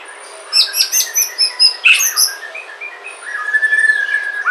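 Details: Song of a white-rumped shama from Sumatra, recorded to prompt other shamas: a burst of rapid high sweet notes, then a sustained level whistle with a faint fluttering trill underneath.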